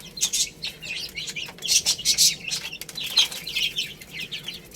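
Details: Feeding chicks eating rice make bursts of high, quick chirps, several overlapping, with pecking taps and a short flutter of wings between calls.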